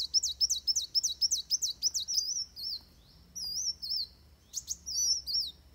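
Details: Fighting song of Van Hasselt's sunbird, meant for training other birds, starting with a fast series of sharp high chirps, then drawn-out wavering whistles with brief gaps.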